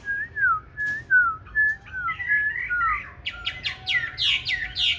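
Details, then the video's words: Chinese hwamei with green-bean eyes singing a contest song used to train other hwamei: several pure mid-pitched whistles with pauses between, building into harsher, buzzier high notes repeated rapidly. "Họa Mi Mắt Lục Đậu Thanh Hót Đấu ( Dùng luyện Mi hót bài êm không gắt )"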